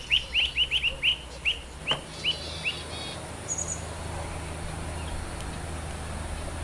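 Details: Yuhina foraging in the wild to feed its young, giving a quick series of short, bright rising chirps, about eight in three seconds, then falling quiet over steady low background hum.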